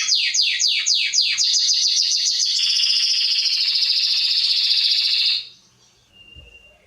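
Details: Singing canary on a training recording for young birds: a row of sharp descending chips that runs into a long buzzing trill, then stops abruptly, leaving near silence with a faint thin tone.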